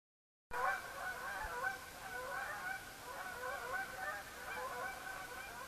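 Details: Canada geese calling at night under the blood-red moon of the lunar eclipse, September 27, 2015: a continuous overlapping chorus of nasal two-note honks from many birds over a soft background hiss.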